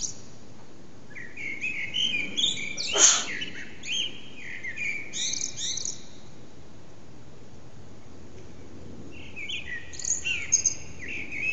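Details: Common blackbird morning song in a backyard: varied warbled and twittering phrases in bursts, several seconds apart, with one sharp loud click near the middle and a low rural background hum.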